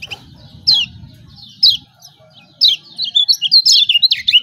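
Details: Lemon-bellied white-eye from Lombok, lure for reluctant singers: a few isolated high ciak notes, then an accelerating run of sharp twittering chirps.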